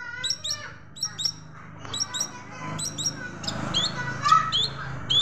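Long-tailed Shrike song full of sparrow-like chirps: sharp, high double notes about once a second, turning busier and more varied toward the end.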